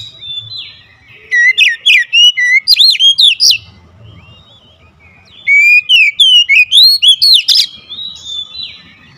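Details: Oriental magpie-robin singing in a fierce, agitated manner: two energetic runs of quick, piercing whistles with swooping pitch, each lasting about two seconds and separated by a quiet gap; soft low noise throughout.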